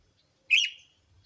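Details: Single sooty-headed bulbul note from a lure recording meant to attract bulbuls: one rough, slightly buzzy chirp that dips and then trails off in a drawn-out tail.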